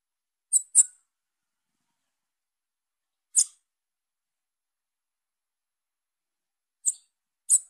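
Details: Young female Bananaquit calling: five very high, thin, sharp chips, an opening quick pair then single notes spaced irregularly over several seconds, with silence between and no other sounds.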